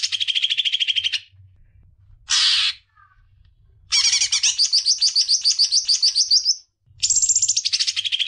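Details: Rapid chattering phrases from a greater green leafbird, used to get young birds singing: a dense buzzy trill, a short harsh burst, then a long series of quick rising chirps and another trill, separated by brief silences.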